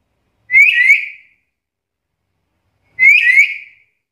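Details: Talking black-capped lory, a vocally active bird with a varied repertoire, whistling two identical bursts of two rising notes, about two and a half seconds apart, clean and loud.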